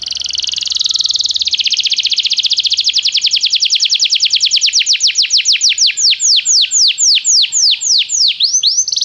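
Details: Belgian canary song used to encourage a canary to sing diligently: a rapid buzzy trill that gradually slows into distinct, repeated down-slurred whistles, several per second.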